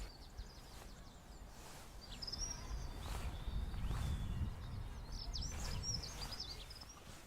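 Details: European greenfinch (Chloris chloris) calling from a hedge a few metres away in a Yorkshire village, where it is a rare record; quick, high twittering chirps in short bursts over a steady low rumble of wind or distant traffic.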